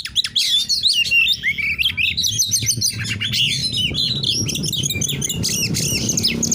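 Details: Oriental magpie-robin in full song of the narung type, used to provoke an opposing kacer, pours out dense loud whistled phrases, trills and squeaky slurs with a low background hum throughout.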